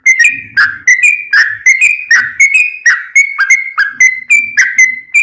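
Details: Sooty-headed bulbul singing energetically for training caged birds: evenly spaced whistled notes with click-like starts, several per second, with soft low chattering in the background.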